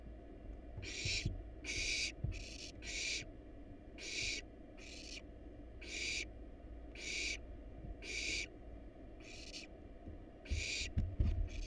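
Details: Several hungry wild barn owl nestlings fed rat and rabbit in a monitored nest box hiss in rapid, overlapping succession, about a dozen rough snoring bursts in twelve seconds, with scuffling knocks at the end.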